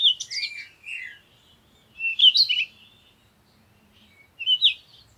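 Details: In the morning at sunrise, birds chirp in three separate bursts of high, tumbling twitters, with long quiet gaps between them.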